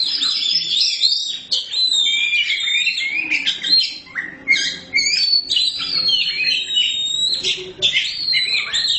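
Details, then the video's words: Black magpie-robin in energetic, unbroken song, pouring out varied whistles, quick downslurs and harsh chattering phrases with short gaps, sounding full and loud throughout. "Kacer hitam gak pernah malu untuk gacor"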